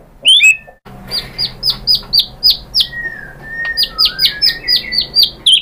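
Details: Lure song of a white-rumped shama, meant to make other shamas sing: a brief whistle, then a fast string of bright downslurred notes with a low flat whistle threaded through the middle.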